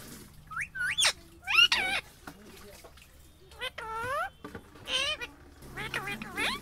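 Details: Indian ringneck parrot vocalising in a talking session: a string of varied, bending, harmonic squeaks and nasal syllables with pauses, over a low background hum.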